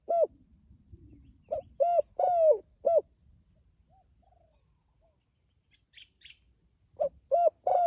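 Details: Spotted dove calling its companions with two series of hollow coos: quick note, two round coos, a long falling coo and a closing coo, then silence, faint distant chirps from another bird, and the phrase starting again; a soft high hum persists.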